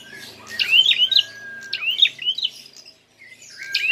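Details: Prinia in a fighting display, used as a lure: two sharp, high chirping phrases of quick rising and falling notes over a faint, low, steady tone in the background.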